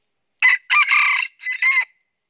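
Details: Crow of a northern Vietnamese red junglefowl kept as a trapping decoy: three-part call with a brief first syllable, a sustained rough middle and a drawn-out falling ending, heard clearly without other sounds.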